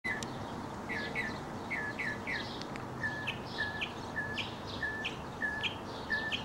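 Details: Male mockingbird singing while leaping up and tumbling in a display kept up for as long as an hour: a series of short repeated chirps, mostly paired downslurred notes, delivered steadily over a constant background hiss.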